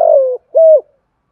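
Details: Spotted dove contest cooing for prompting new caged birds to call. The tail of a long burred coo slides down in pitch, then one short smooth rounded note follows.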